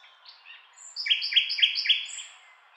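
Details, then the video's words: Short nightingale phrase: after a soft lead-in, four loud identical chopped notes repeated evenly about every quarter second, ending with a thin high whistle. "Nightingale Sound"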